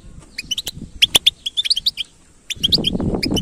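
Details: {'text': 'European goldfinch singing, short bright tinkling chirps and quick twittering notes in bursts with a brief pause, then a low rumbling background noise during the final second.'}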